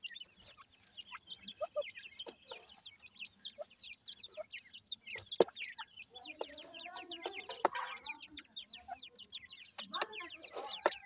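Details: Feeding grey francolin chicks give steady, overlapping high peeps, short and sharply slurred, with scattered taps and a brief lower warbling sound midway.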